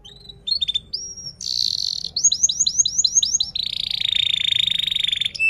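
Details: A canary in full song, played to encourage silent or learning canaries: clipped whistles, a buzzy note, a run of quick rising chirps, and a long buzzing roll to the end.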